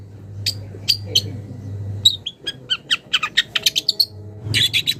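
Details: Wild young long-tailed shrike calling a rival, giving sharp whistled chips then a rapid series of short clipped notes about five per second, ending in a harsh burst; low background hum.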